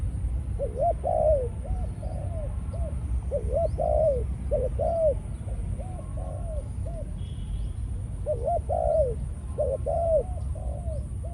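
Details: Caged spotted dove decoy, Malaysian strain, now in breeding mode. Bursts of rapid hooked coos with long slurred notes repeat in several phrases, separated by short pauses. Low background rumble, with barely audible chirps.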